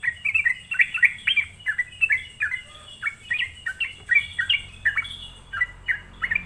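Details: Energetic sooty-headed bulbul song used as a lure to provoke rival bulbuls: lively, irregular bubbly chirps, each a short downward-bending note, following one another steadily over a low background hum.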